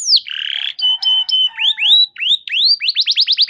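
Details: Canary song to prompt other canaries to sing: a falling whistle into a harsh buzzy note, short flat whistles, rising whistled slurs and a closing quick trill.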